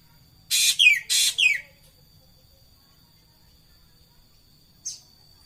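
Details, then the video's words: Racket-tailed treepie gives four harsh, rasping, downward-sliding notes in quick succession, then a long silence broken by one short soft note; a steady thin high tone runs throughout. "tembakkan suara burung ekek Keling"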